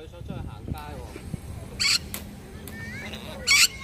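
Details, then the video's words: Two-year-old pet rainbow lorikeet speaking, saying hello: two loud, raspy, hissing bursts about two seconds apart, each lasting a fraction of a second, over indoor room noise with faint softer voice-like sounds between them. "彩虹吸蜜CCの說話篇(2歲講哈囉) Rainbow Lory CC Speaking"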